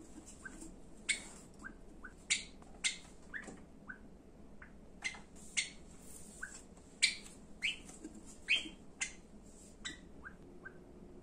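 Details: Domestic Java sparrow giving a long irregular run of clipped chip notes and brief rising whistles, some loud and some soft, scattered over about eleven seconds. No other sounds stand out.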